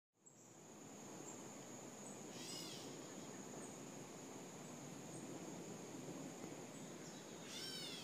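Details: Gray catbird in a backyard on 4 August 2014 gives two brief, cat-like mews, slurred and falling, about five seconds apart, over steady hiss and a thin high whine; finding: Gray Catbird.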